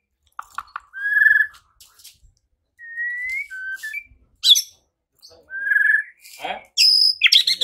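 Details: White-rumped shama singing after a provoking lure recording meant to incite fighting; clear whistled notes, one long rising whistle, a downslurred phrase and harsh high buzzy bursts at the end.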